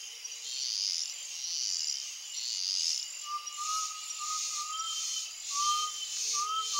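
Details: Rural Brazilian sunset with an undulated tinamou whistling a run of short rising notes in pairs, accompanied by constant high insect chirring and a faint lower whistle.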